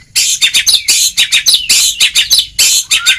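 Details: Oriental magpie-robin (kacer) in ngeplong singing style, a training recording for reluctant singers: a rapid run of harsh, buzzy, scratchy notes about three per second, ending in a thin rising whistle.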